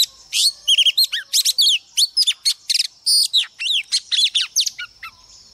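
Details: Oriental magpie-robin, a female kept as a lure to provoke rival males, pours out a dense, varied song of piercing whistles, chattering trills and swooping slurred notes in quick succession.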